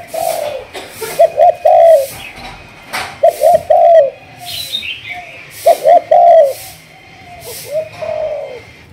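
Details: Spotted dove from a Malaysian strain, thúc gù cooing style, in training as a decoy bird: groups of low, hollow coos, two short notes then a drawn-out falling note, repeated about every three seconds, with a faint twitter.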